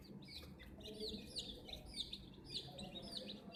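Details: Baby chicks with a toy crane utter loud, distinct high peeps that drop in pitch, repeated roughly every half second over a background of softer chatter.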